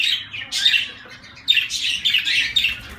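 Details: Zebra finches giving short nasal beeping calls, one burst early and a denser cluster of overlapping honks in the second half.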